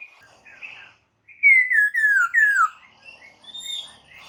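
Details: White-crested laughingthrush song for prompting captive birds to answer: three loud descending slurred whistles in quick succession, framed by softer warbling notes before and after.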